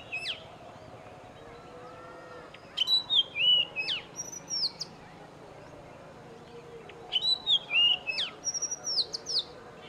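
Oriental magpie-robin gives two bursts of clear, varied whistles, rising and falling, mixed with sharp clicks. Fainter, lower bird notes sound in the background.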